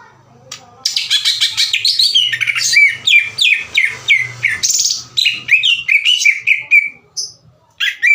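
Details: Aggressive greater green leafbird in loud, full song, challenging another leafbird to fight, past the twittering stage and delivering its own varied phrases: a rapid tumbling stream of sharp, bright chirps and slurred whistles, pausing near the end.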